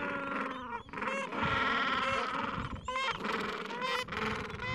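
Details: Gentoo penguin breeding colony in the Falkland Islands, mild afternoon, adults tending nests and chicks two to three weeks old; loud continuous braying from several birds, rasping harmonic calls overlapping, with high chirps above and brief pauses.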